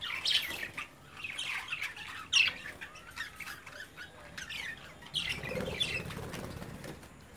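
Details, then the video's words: Caged budgerigar chicks playing while their parents watch, giving busy, scratchy chattering squawks and short chirps in uneven bursts, with a sharp louder squawk near the middle and softer warbling chatter toward the end. "Budgies Parents watching Cute Budgies babies playing"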